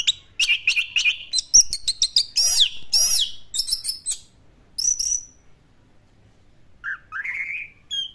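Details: Orange-headed thrush singing in the classic style, a rapid string of high sharp notes and looping slurred whistles followed by a pause and a rising whistled phrase.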